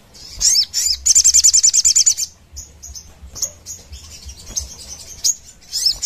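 Sogon singing a very high, rapid rattling trill of about a dozen sharp notes, then scattered thin chirps and twittering phrases.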